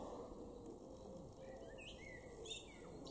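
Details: Male common blackbird in a garden in Weener, East Frisia, northwest Germany, in May 2023, sings a short, soft phrase of slurred fluty notes with a few higher squeaky twitters, over steady low background rumble.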